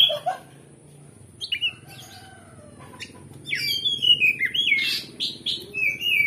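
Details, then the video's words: Oriental magpie-robin singing loudly and clearly, used to provoke another magpie-robin into fighting and replying: sharp whistled downslurs and rich warbled phrases, sparse at first, then a dense, energetic run in the second half, over a low steady hum. "Pancingan Kacer Gacor Ngeplong Bongkar Isian"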